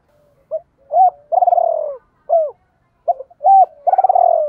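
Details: Captive spotted dove used as a lure for wild doves, 'double voice' style: short coos around a long rippling, downslurred purr, the whole phrase starting again after a short break.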